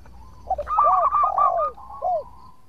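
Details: Active local zebra dove song used as a lure to draw replies from rival birds: a short burst of quick rolling coos, then two low descending slurred notes, over a faint low background hum.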